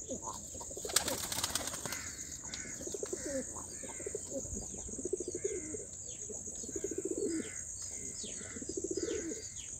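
Fantail pigeons give low, throaty rolling coos in bursts, with a clatter of wings early on, chirping small birds, and a steady high insect-like hiss.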